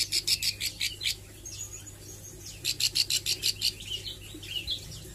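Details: Learning ciblek sawah, a Plain Prinia working on song and 'nembak' bursts, gives two runs of quick, loud, high ticking notes separated by thin squeaky twitters, over a low background hum.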